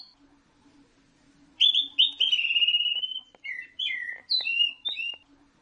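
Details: Caged orange-headed thrush sings a loud phrase of two bright whistled notes and a long level trill, followed by separate short slurred whistles at varying pitches, over a soft constant hum.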